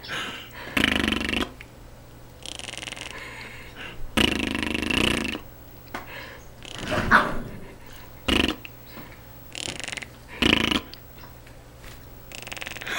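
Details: A pet monk (Quaker) parakeet about seven months old, prompted by its owners to fart, gives short, rasping, sputtering bursts that mimic farts, with a person talking and laughing.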